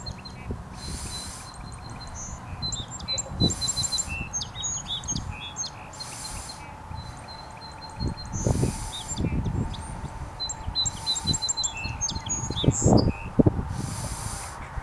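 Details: Song sparrow singing in Annapolis, Maryland: about six bright phrases, one every two to three seconds, each with crisp opening notes, a rapid trill and a buzzy close; low thumps and a steady hum underneath.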